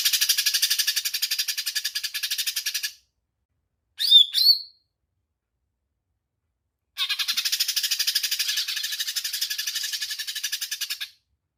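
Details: 'Tembakan' burst song from a greater green leafbird (cucak ijo mini), excited and singing freely: three seconds of rapid rasping high trill, a brief whistled harsh phrase, a pause, then another long fast buzzy rattle.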